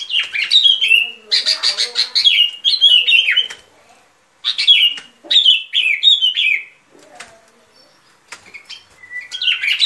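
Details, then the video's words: Sooty-headed bulbul singing, a recording meant as a lure for trapping: bursts of lively, gurgling notes that slur downward, delivered in quick runs separated by short silences, each run lasting one to two seconds. "Tiếng Chim Bông Lâu Mồi Chuẩn Mp3"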